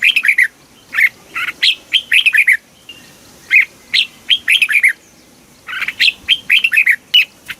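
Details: Red-whiskered bulbul kept in a cage in Thailand, singing southern master-style phrases meant to stir other birds and teach chicks; rapid sequences of bright, bubbly notes come in bursts, with a short quiet stretch midway.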